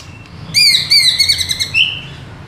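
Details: White-rumped shama (murai batu) pancingan song meant to spur a caged bird to sing: one sustained, rich whistled note with a slight wavering and a brief upward lift at the end, low hum behind.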